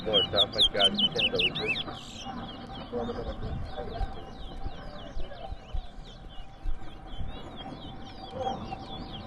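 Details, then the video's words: Towa towa, or large-billed seed-finch, competing in a round-two bird singing contest at Rosignol, Berbice, Guyana: a loud burst of sweeping whistled notes opens, then softer rapid phrases continue behind voices and crowd noise. "TOWA TOWA BIRD COMPETITION"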